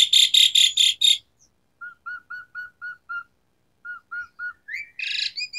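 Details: Singing Asian pied starling with varied fill-ins, a lure for starlings gone quiet: five loud harsh rasping bursts, then six clear repeated whistles, three more, and a buzzy rising phrase with short high notes.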